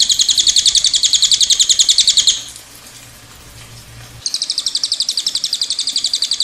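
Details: Cililin trilling in a long roll: quick, high, clipped notes in a steady stream, a pause of about two seconds with faint low hum, then the fast trill resumes.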